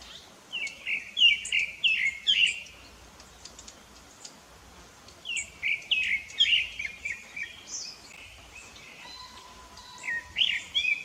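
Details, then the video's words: Rufous-bellied thrush (sabiá-laranjeira) singing rich, fluty warbled phrases of a few seconds, separated by brief pauses, with faint high chirps from other birds in the background. "sabia laranjeira"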